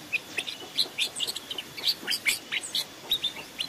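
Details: Forest decoy recording of a Long-tailed shrike: rapid, scratchy chattering of short high notes, tightly packed, each burst lasting a fraction of a second, over soft background hiss.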